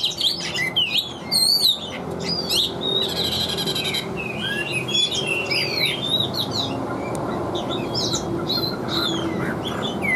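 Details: A caged Chinese hwamei sings continuously with a steady voice, mixing high swooping whistles, a brief buzzy rattle and quick chattering notes in a dense, restless song.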